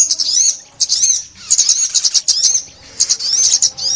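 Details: Sunbird song for trapping: thin, high whistled notes that rise and fall in wavy slurs, in bursts separated by short pauses.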